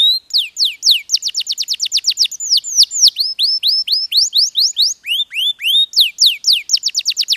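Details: Bred posture canary delivering a lively high song of repeated downslurred whistles and fast rolls. Phrases change every second or two, with no other sounds.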